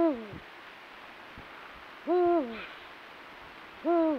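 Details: Eurasian eagle-owl in breeding season on a full-moon night, pair-bonding with calls, territorial encounters and copulation; three deep, resonant hoots about two seconds apart, each swelling briefly then sliding down, over quiet night background with faint low taps.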